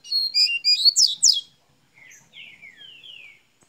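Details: Double-collared seedeater from Minas Gerais starting its song: a quick run of sharp, high, repeated chirps, then a few softer slurred falling whistles.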